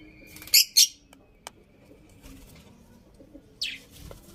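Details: Pet budgerigars chirping indoors: a few short, sharp high chirps in quick pairs, then a pause and another brief chirp, over a faint steady background hum.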